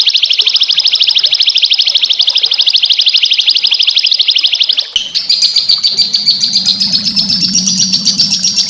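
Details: Small songbirds recorded as rough-burst training song for white-rumped shamas: a long, fast, steady high buzzing trill, then after an abrupt break a slightly higher rattling trill, with a low hum underneath.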